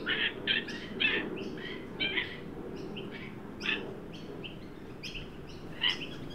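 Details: Adult and juvenile Australian magpies at a newly set-out backyard birdbath in Sydney on 9 December 2023, during a 43 °C heat wave; short, bright chirping notes come in uneven bursts over steady low background hum.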